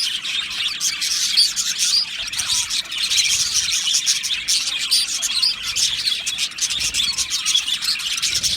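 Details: Budgerigars in an aviary colony, many birds chattering and warbling at once: a dense, continuous wash of high chirps, squeaks and tweets with no pauses, steady loudness throughout.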